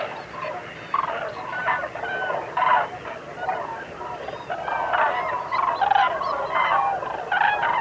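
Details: {'caption': 'Common cranes recorded in Tierra de Campos, Zamora; many loud, rolling trumpet-like calls overlap continuously, with harsh bugling notes rising and falling from several birds at once.'}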